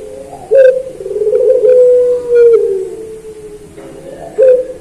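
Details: Puter pelung dove, a master recording meant to train kept birds: an abrupt, emphatic note opens a long, smooth, gently descending coo lasting about three seconds, followed by a fresh accented start.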